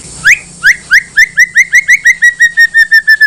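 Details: White-rumped shama bait song to make other shamas respond: a run of short down-slurred whistles that speeds up from slow single notes into a fast even series, about fifteen notes.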